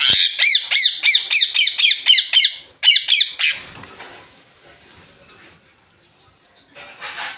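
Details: Sunlit green Indian ringneck parakeets squawk rapidly, a steady train of about a dozen sharp arched calls nearly four per second, then falling quiet with faint rustling noise afterwards.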